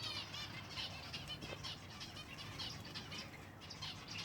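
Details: Flock of silver Java sparrows at feeding time, giving a steady stream of bright, overlapping chirps and trilled notes with constant low rustling and fluttering beneath.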